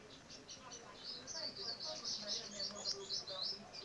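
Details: Great tit nesting inside the tube of a pull-up bar, high thin chirps pouring out in a rapid, uneven stream, about four per second, growing louder over a few seconds, with faint low background noise.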